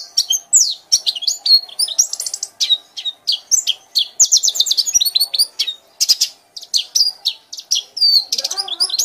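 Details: White-eye pouring out a dense, continuous ngekek chatter: fast high twitters, trills and downslurred whistles packed tightly together without pause, ending in a softer lower warble.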